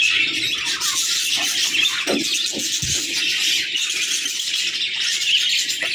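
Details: Pairs of budgerigars converse in a constant high-pitched, scratchy warble with fast twittering notes, broken only by a few faint low knocks.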